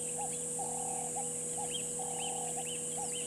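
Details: Burchell's starlings in a tree by Gowrie dam waterhole, Djuma Game Reserve, Sabi Sand, South Africa, mid-afternoon: short arched high notes alternate with lower wavering warbled runs, under a constant electrical hum and faint insect buzz.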